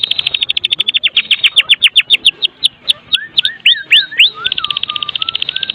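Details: Medan white-rumped shama giving a full-fill kretekan song meant as a lure to set other shamas singing: a rapid high chattering series, then swooping whistles and lower slurred notes before the rattle resumes.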